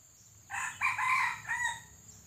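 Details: A white-legged, pale-plumaged red junglefowl decoy, set out to lure wild junglefowl into a trap, crows once: a rough opening note, a sustained middle phrase and a falling closing note, against faint background hiss.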